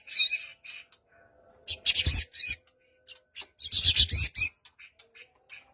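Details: Song of a white-rumped shama, meant to draw a silent bird into singing, for morning or afternoon use: two loud bursts of harsh, rasping, squawky notes separated by quieter pauses.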